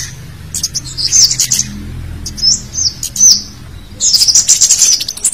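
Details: Scaly-breasted munia calls used to lure wild munias: high, thin chirps in quick clusters, three bursts over a few seconds with the last busiest, over a faint low rumble.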